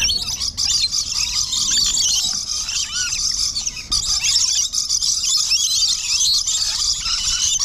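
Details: Early morning in an aquarium's lorikeet aviary: shrill screeching and chattering of many lorikeets, constant high squeals overlapping through the whole stretch with no pause.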